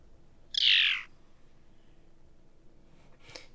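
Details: Phainopepla, a Nevada desert bird tied to desert mistletoe, gives a hard call: one harsh, half-second note sliding downward in pitch, then after a pause a faint second note, against quiet hiss.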